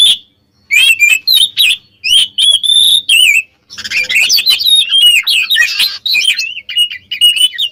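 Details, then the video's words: Oriental magpie-robin song meant to stir up rival birds: clipped whistled notes and sharp chips in quick bursts, then a continuous rich warbling stream of twisting whistles and rapid chatter. "SUARA BURUNG KACER KEMBAR ‼️ bikin lawan EMOSI"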